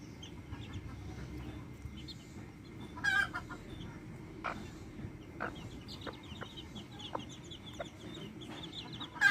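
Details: Backyard hens with chicks: loud hen clucks at intervals, one sharp call at the very end, with busy high chick peeping and low steady background noise.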